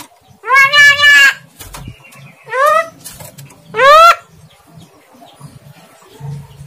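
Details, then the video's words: Javan myna kept by its owner, attempting to talk but not clearly: three drawn-out, wavering, nasal syllables with rich harmonics, the first longest, separated by short pauses over a low background hum. "jalak kebo ngomong ORA CETHO"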